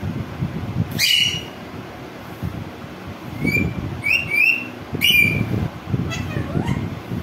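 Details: Green rose-ringed parakeet giving short, shrill, rising screeches, single and in quick pairs, spaced a second or more apart, over steady low rumbling traffic noise.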